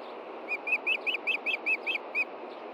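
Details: Osprey calling from a Montana nest in June 2013 in the evening, hunting for the fish hidden by its mate after the chicks were fed. Nine shrill, whistled chirps in an even, rapid sequence above a constant hiss.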